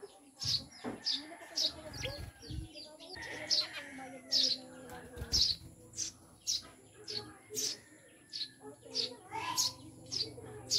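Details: Pet Eurasian tree sparrows (Maya), newly kept, give a run of bright, piercing chirps in quick succession. Low thumps and muffled sounds are heard beneath, mostly in the first few seconds.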